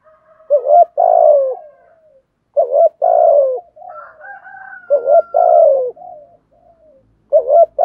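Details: Spotted dove cooing in a traditional patterned sequence of bow-coos and calling song, used to lure wild birds; loud low coos in bursts roughly every two seconds with softer drawn-out hoots between.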